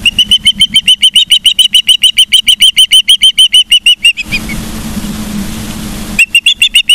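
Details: At Charlo, Montana, an osprey gives rapid piercing whistles, roughly three or four per second, for four seconds. A two-second stretch of rushing noise follows, then the shrill chirping resumes. Recorded 15 September 2023, 12:55.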